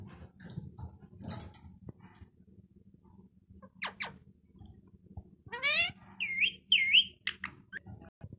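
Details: Talking parrot, mostly quiet with faint rustling at first, then a few harsh calls followed by a rising buzzy note and two clear, looping whistled phrases near the end, over low background hum.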